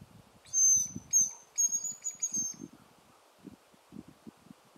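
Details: Hazel grouse, one of two males in Šumava National Park, Czech Republic, in September, giving a strange call likened to a person with a call whistle or a dying rodent: thin, very high whistles in several short bursts over two seconds, with low rustling beneath.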